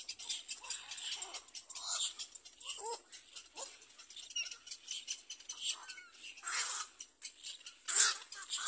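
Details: Little black cormorant feeding its young: high, wheezy squeaks mixed with short whistled notes that slide downward, delivered in uneven clusters, with one sharp louder squeal near the end.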